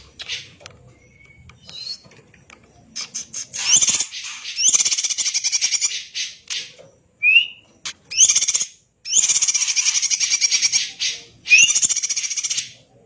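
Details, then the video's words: Greater green leafbird, a champion bird, in dense kacer-like song. Scattered chips and rising whistles build into repeated long, buzzy, rapidly pulsed rattles roughly every one to two seconds. "Burung Cucak Ijo Gacor Suara rapet - cucak hijau Gacor rasa kacer"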